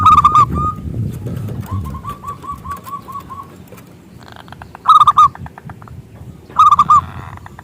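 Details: Zebra dove singing to lure other doves into song: a short coo, a run of evenly spaced soft notes, then two louder clipped phrases separated by quiet gaps, with faint background hiss.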